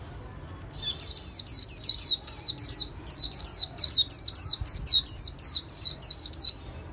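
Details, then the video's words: Promising white-eye kept in a cage, singing the líu xòe style: a long, steady rattle of high, clipped, down-sliding whistled notes, roughly three per second for about six seconds, loud and clear against a faint low hum. "Khuyên líu xòe tố chất"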